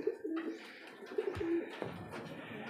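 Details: Fancier's direct-import pigeons kept in Zambales, giving low cooing notes in short repeated bursts, with clicks and indoor noise around them.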